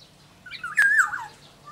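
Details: Black-naped oriole from Sumbawa singing a single rich, fluty whistle that slurs down and levels off, preceded by a few softer rising notes, over a faint steady background hum.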